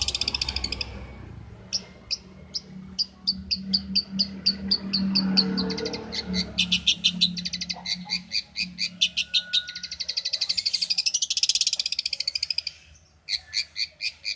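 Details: Long-tailed shrike song, a champion bird's tutor recording for teaching captive shrikes: sharp high notes repeated in quickening series, then dense buzzy chattering rattles and a brief clear whistle, with pauses between bursts and a faint low hum beneath.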